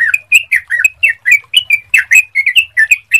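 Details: Yellow-vented bulbul, clear lure song to get other birds singing quickly: lively, liquid chattering notes in quick succession, each a short warbled twist, without pause.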